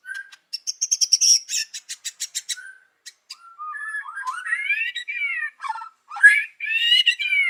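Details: Singing white-rumped shama in the morning, used as a lure: a rapid series of sharp clicks and high notes, then rich rising and falling whistled phrases.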